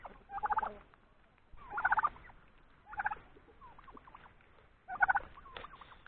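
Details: Turkeys, along with roosters, give loud, rattling gobble-like alarm bursts when a hawk appears overhead. The male turkey stays exposed facing the invader while the flock runs to hide.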